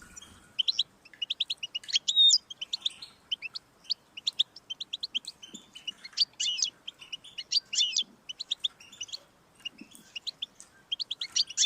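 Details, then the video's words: European goldfinch song played to stimulate a pet goldfinch: long sequence of rapid, tinkling high chirps broken by short buzzy rattles and occasional whistled slurs. "Audiorecordings of the goldfinch to stimulate birdsongs"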